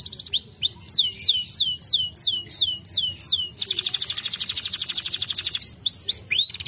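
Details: Canary singing a varied phrase: a series of bright descending whistled notes repeated about three per second, then a dense fast high trill, ending with quick rising whistles.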